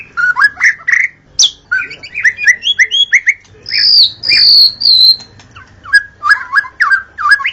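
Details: White-rumped shama song at dawn, used to lure wild shamas: varied whistled phrases and rapid chattering notes, clear rising and falling whistles mixed with buzzy trills, sung in quick bursts with short pauses.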